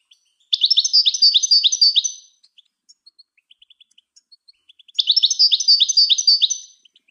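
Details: European goldfinch song used for training other birds: two rapid bursts of bright, tinkling twittered notes, each about two seconds long, separated by a pause with faint scattered chips; no other sounds.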